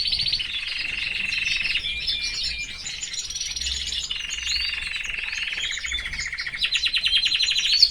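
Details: Caged canary singing long sustained trills, each a steady run of rapidly repeated notes, broken by brief chirps, finishing with a louder quick rolling trill.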